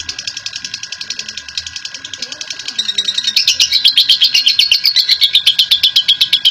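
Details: Long ngekek chattering of a national-champion lovebird, a lure recording for other lovebirds: a quieter run of fast, scratchy high chips swells halfway through into a louder, sharper burst, about six pulses each second.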